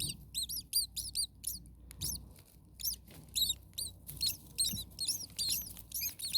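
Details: Young common starlings in an overheated nest call insistently with quick, high, squealing chirps, bunched in dense bursts and repeated throughout, over light low rumbling.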